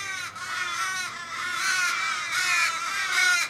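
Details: A crowd of Australian ravens circling a dying flock member in a Sydney street, 1 July 2012. Long, plaintive, harsh wails that sound almost like sobbing overlap in three swelling bursts.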